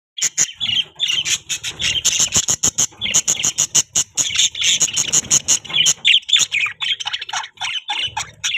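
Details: Captive budgerigars in a breeding setup give dense, fast chirps with clicky bursts, many overlapping, scratchy notes repeated almost continuously.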